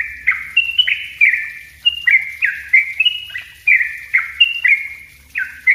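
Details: A yellow-vented bulbul sings the dense 'ropel rapat' style for use as a lure and a training master. Its notes are clear and liquid, each dropping slightly in pitch, and they come steadily at about two to three per second.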